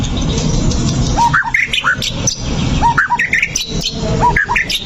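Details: Provoking song of a white-rumped shama, meant to make a fighting bird angry and reveal its repertoire: short upslurred whistles and chirpy notes repeated in quick clusters throughout, set against persistent low-pitched background noise.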